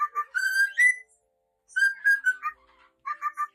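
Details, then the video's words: Cockatiel singing indoors: clear whistled notes, some held and some short, sliding up and down in pitch with rich harmonics, in three bursts separated by brief silences. "Ninfa cantando"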